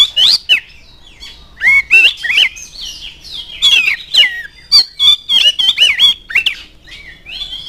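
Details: Oriental magpie-robin in vigorous song, meant to spark singing in other magpie-robins: a dense, continuous stream of loud, varied whistles and harsh chattering notes with hardly a pause.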